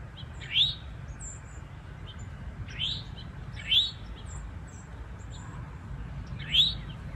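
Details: In the woods, a male and female Eastern towhee vocalize as the male guards nesting territory; four sharp upward-sweeping notes at irregular intervals of roughly one to three seconds over a steady low hum and distant bird twitters.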